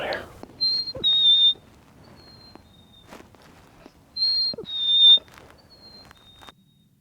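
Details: Three or four chickadees on a spring woodland hiking trail answer a person's whistled imitation with clear two-note whistles, a high note then a slightly lower one, and fainter whistled replies, with light rustling.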